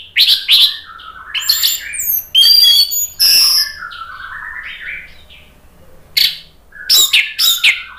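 Orange-headed thrush singing rich, varied phrases of sweet whistles, slurs and sharp high notes in quick bursts, with short pauses between phrases.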